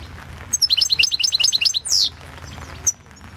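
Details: European goldfinch singing in the 2016 World Championship in Goldfinch Song: a fast run of bright, tinkling two-part notes repeated about a dozen times. A loud buzzy downslurred note follows, then a single high chip.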